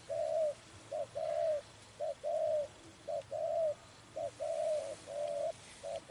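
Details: Spotted dove recorded while trapping birds, a steady series of short-then-long mellow coos, five or six paired phrases spaced about one second apart over a quiet background.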